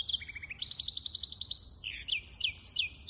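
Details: Hybrid finch song on 23 April 2023: a quick row of chips, then a long, even buzzy trill, followed by looping whistled and twittering notes.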